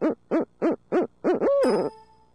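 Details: Urban barred owl in Midtown Tulsa gives five evenly spaced, loud hoots followed by a long, sliding, drawn-out call, with a ringing metallic tone lingering at the end.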